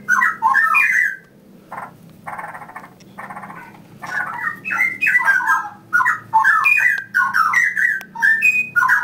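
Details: Straw-headed bulbul in a breeding setup pours out loud, rich, bubbling whistled phrases in quick runs, broken early on by a few seconds of harsh, buzzy notes.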